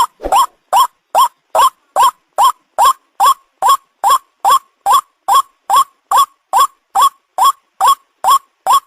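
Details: Ruak ruak call of the white-breasted waterhen, used as a lure to catch birds: some twenty loud, harsh, rising croaks delivered in a steady, monotonous series of about two and a half per second, with no other sounds.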